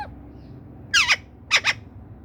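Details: Pet ring-necked parakeet giving two quick pairs of harsh, descending squawks about half a second apart, indoors with low background hum.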